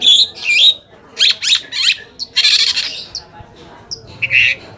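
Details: Long-tailed shrike singing, played as a lure to make other shrikes answer and get worked up: rasping noisy bursts, quick stacked chips and short whistled notes in uneven groups.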